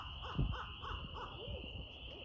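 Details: Barred owl producing a short run of about six rounded, arching hoots with a thump near the start, under a steady high insect-like hum.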